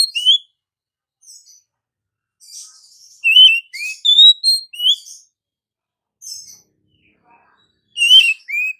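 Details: Morning song of an Oriental magpie-robin: bright, varied whistles rising and falling, delivered in quick clusters of three to five notes separated by brief silences.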